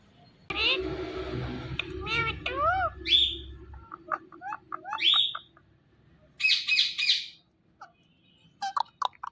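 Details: A talking Indian ringneck parrot gives a varied string of sounds: a noisy rasp, then curved harmonic notes, a sharp rising whistle, a broad harsh burst and a few scattered clicks. Background hum fades out partway through.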